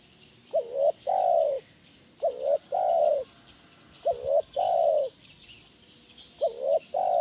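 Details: Spotted dove in "kuk 1" song style, for training other doves: mellow two-part coos, a short note then a longer drawn one, repeated roughly every two seconds over a steady high insect hiss.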